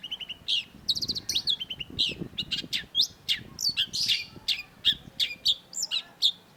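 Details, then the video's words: Long-tailed shrike pouring out a busy song of rapid stuttering trills, sharp high chirps and harsh rasping notes, with a faint low rumble beneath. "cendet gacor LANGSUNG GACOR !! PANCINGAN CENDET MACET || Long-tailed Shrike"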